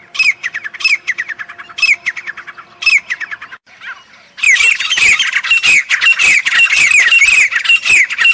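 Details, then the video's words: Grey francolin calling: loud, high, harsh notes repeated in quick bursts, a short quiet gap midway, then a dense run of overlapping shrill squawking calls. "Teetar awaz Teetar voice Teetar ki awaaz Teetar bolne ka tarika Teetar sond Teetar sound"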